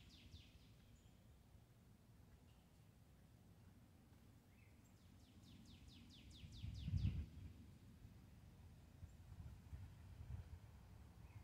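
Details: Cardinals chirping calmly outdoors among trees: one faint downslurred note at the start, then a quick run of about eight steep, descending chirps around the middle, over steady low rumbling background noise.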